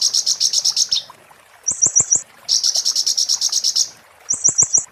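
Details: An Oriental white-eye's 'muntah beling' tutor song for magpie-robins: rapid high trills alternate with short buzzy four-note bursts accompanied by sharp clicks, a repeating cycle heard twice.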